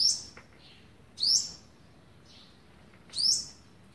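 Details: High, thin, upward-sweeping notes from an olive-backed sunbird feeding young on day eleven, recorded 27 November 2019; three sharp calls spaced roughly a second and a half to two seconds apart, with soft fainter notes between them.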